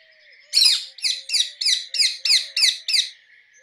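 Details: Rose-ringed parakeet in a fast run of eight loud, raspy screeches, each shrill and falling slightly, roughly three per second, with a faint steady hum and a low whistled note behind.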